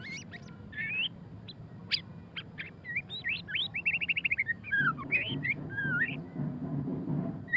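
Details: Ngeriwik-style song of the white-rumped shama (murai batu pastol): scattered sharp chips, then a fast even trill of repeated notes, then rolling whistled phrases, while a low rumble swells in the second half.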